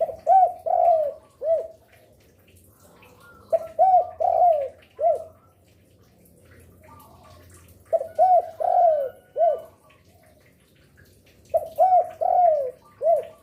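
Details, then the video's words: Spotted dove singing as a lure bird, an active singer heard day, afternoon and night: phrases of four or five low, rounded coos, the last drawn out, repeated every four seconds, with a faint low hum between phrases. "Derkuku gacor rajin bunyi siang sore malam cocok untuk pancingan"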